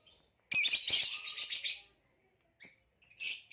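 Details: Shrill, scratchy warbling from a ringed male green hybrid Lilian's lovebird: a continuous grating chatter for about one and a half seconds, followed by two brief high chirp bursts.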